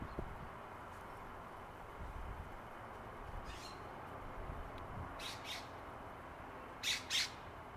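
A red-breasted nuthatch gives a few short, nasal, tinny notes in pairs near the end, over a steady low rumble of background noise.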